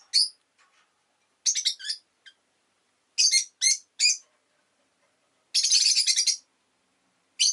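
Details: Rosy-faced lovebird (Agapornis roseicollis) chirping in sharp, high, harsh bursts, single and clustered, with a longer rapid chattering run near the end; otherwise quiet.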